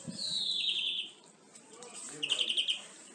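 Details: European greenfinch singing, used to tutor captive birds; a long, drawn-out, descending wheezy note is followed after a pause by a brief stuttering trill.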